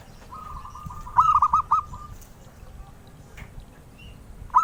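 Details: Zebra dove, a species collectors seek, singing: a soft drawn-out purring note runs into a burst of four rapid, rounded coos, and another phrase begins as the clip ends.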